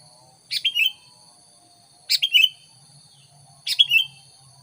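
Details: Sooty-headed bulbul sound played to lure wild bulbuls; three matching short phrases, each a sharp burst sliding down into a bubbly two-part note, repeated roughly every one and a half seconds over a thin constant high whine.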